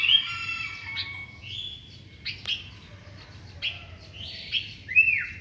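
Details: Morning song of a Sooty-headed bulbul, with scattered bubbly whistles and short chirps separated by brief pauses. The piece ends in a loud, arched whistled note.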